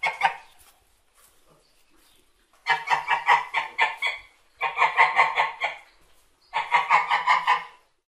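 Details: White domestic geese give loud, nasal honking bursts, three clamorous rounds of rapid harsh calls about two seconds apart, with several birds overlapping.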